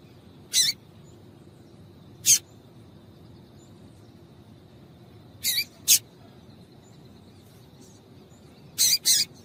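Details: Irregular sharp chips from a female double-collared seedeater, singly and in close pairs, a few seconds apart. The calls are meant to set a male singing. Soft background hiss.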